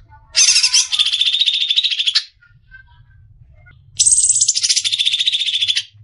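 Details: Greater green leafbird besetan for masteran bird training: two bursts of high buzzy trilling, each opening with sharper notes and settling into a steady, rapidly pulsed whistle-like buzz, separated by a quiet pause with faint low rumble.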